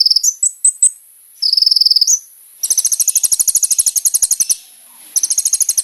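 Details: Kolibri ninja sunbird song used as a lure for other sunbirds: quick high chips open into a short trill, followed by a long, very high, rapid ticking trill of about two seconds, which resumes after a pause.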